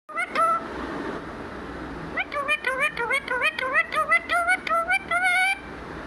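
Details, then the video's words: Talking parrot mimicking speech: a short burst of voiced syllables, then a pause, then a fast run of about a dozen clipped, harmonic, speech-like syllables with wavering pitch, over a steady background hiss. "talking parrot 🦜 mithu mithu"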